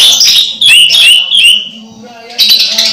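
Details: Orange-headed thrush approaching its moult, still loud: a rapid run of bright whistles and chattering notes, a brief lull over a faint hum, then another burst of song.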